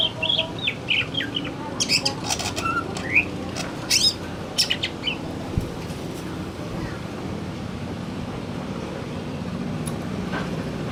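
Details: Afternoon song of a male greater green leafbird: a quick run of varied whistled and chirped notes with clicks for about five seconds, then mostly low rumbling background with few calls.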